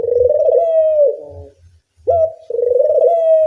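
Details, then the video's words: Clear dove coo played as a lure to teach doves to call: a long, resonant, gently rising coo, a pause, then a sharp rising note leading into another sustained coo. "Pancingan puter bersuara nyaring, melatih bunyi semua jenis burung puter"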